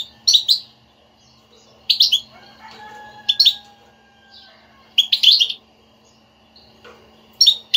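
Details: European goldfinch twitter intended to set off a quiet goldfinch singing: scattered dense bursts of high chirps a few seconds apart, with faint steady tones between them.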